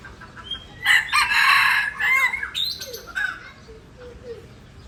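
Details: Aceh junglefowl, an F1 pikat decoy bird: a loud, harsh, broken crow lasting about a second and a half, richly harmonic, followed by a few shorter rising notes and faint chirps over quiet background hiss.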